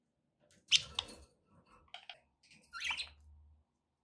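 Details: Pet budgerigars indoors giving short bright chirps and squeaky notes in a few bursts, with soft clicking and low rustling between calls in a small room.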